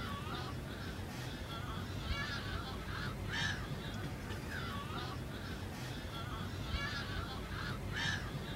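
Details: Audouin's gulls at the Albufera de Valencia, Spain, give hoarse, nasal calls, several overlapping in bursts every second or two, over a steady low rumble of wind and background noise.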